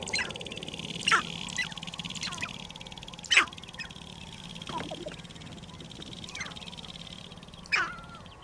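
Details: Sharp-tailed grouse on a lek near Regina, Saskatchewan, Canada, on 14 April 2012 give short, harsh clucks and cackles at uneven gaps of one to three seconds over a steady faint hum.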